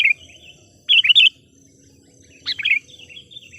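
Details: Decoy sooty-headed bulbul used to attract wild bulbuls, giving brief bubbly phrases of three or four quick whistled notes, with long gaps between them and a faint continuous high-pitched hum throughout.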